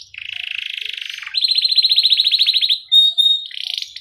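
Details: Domestic canary rolling song with breaks, meant to get young canaries singing quickly. A low buzzy roll shifts into a higher, louder, rapidly pulsed trill, followed by a brief clear whistle and another buzzy run.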